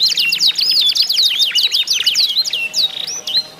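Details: Canary contest song used to prompt other canaries to sing: a series of quick swooping whistles about two per second, then a few spaced sweeping notes fading out.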